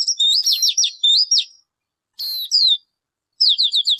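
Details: High-pitched chattering from a bird called ncwb in Hmong: a rapid string of sliding, downward-swept chirps, a lone slurred note after a pause, then another quick chirp series. No other sounds.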